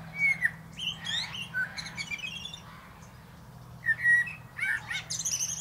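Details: Blackbird song from the top of a plum tree: fluted whistles mixed with high, scratchy twittered flourishes, two phrases separated by a short quiet gap.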